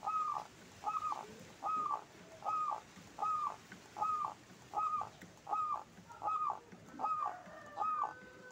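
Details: Local zebra dove in full song, a big-voiced bird: ten evenly spaced cooing notes, roughly one every 0.8 seconds, each bright at the onset then sliding down, steady and rhythmic throughout.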